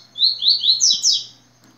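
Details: High, rapid tui-tui phrase of a yellow-bellied seedeater: five clear sweeping notes about a fifth of a second apart, pitch rising over the series, then a sudden stop. Barely any background noise besides a low hum.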